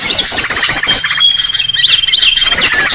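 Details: Excited Green leafbird lure call, noisy style: fast high chattering at first, then a thin steady whistle with looping up-and-down whistled notes before chatter returns.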